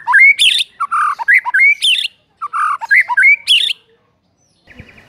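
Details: Morning lure song of a White-rumped shama for training a mute bird to start singing: rising whistles, throaty warbles and loud rasping bursts, the same phrase repeated twice, followed by quiet and a brief buzzy mechanical noise.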